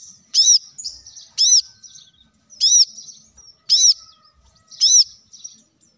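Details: Plain-throated sunbird, a lively-singing bird used as a lure recording to make other caged birds sing. Sharp, arched high chirps repeat about once a second with faint twitters between, in a quiet setting.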